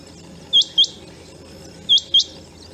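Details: A rain quail calling from fields where it arrives to breed in the rainy season gives sharp, high metallic double notes, 'whit-whit', with pairs repeated about every one and a half seconds. Faint low background hum.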